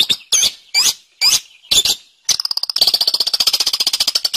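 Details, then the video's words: Long-tailed shrike (cendet) song for training songbirds, gacor style: five loud, harsh, separated squeaky notes, then a switch to a fast, high, buzzing rattle of clipped notes. "Suara Burung Cendet | Gacor"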